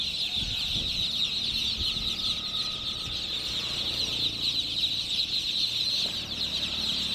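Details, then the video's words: Many chicken chicks chirping together in a continuous, dense, high-pitched peeping chorus that never pauses, with faint low knocks and thumps in the background. "MURGI CHICKS CHIRPING SOUNDS"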